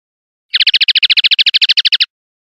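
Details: Common linnet song phrase: a rapid series of about seventeen identical bright, buzzy chirps, each sweeping downward, delivered evenly over roughly one and a half seconds against a silent background.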